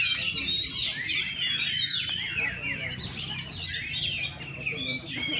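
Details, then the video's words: Kacer in a cage, gantang for the first time, singing with bursts of tembak and rambatan: fast high whistled notes and sharp downward slurs in rapid runs, several per second, with faint talk and low hum behind. "Burung kacer ladusing perdana gantang nebok bongkar kapas tembak dan rambatan"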